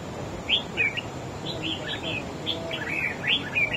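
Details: Wild-caught red-whiskered bulbul in a song battle with another bird: a lively, continuous string of short whistled and slurred notes, several per second, bright and varied, with faint background hiss.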